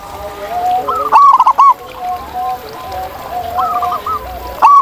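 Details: Wild zebra dove in nature: one loud burst of rapid, clipped cooing notes, followed by gentle, softer cooing from other doves in the background.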